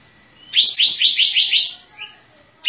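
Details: Sooty-headed bulbul singing energetically with tail fanned, giving a single rapid run of about six liquid chirps, followed by a softer trailing note and a faint constant hum.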